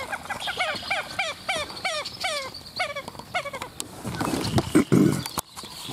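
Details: Several very vocal common gallinules; one gives a run of about a dozen nasal, hooked clucks, roughly three per second, fading out. Low rumbling thumps follow near the end.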